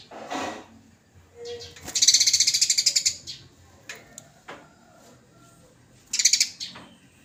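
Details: Eurasian tree sparrow in a fight, lively and vocal, recorded for bird training: a strong high rattling chatter of a dozen quick pulses, softer chips between, and a short final burst near the end.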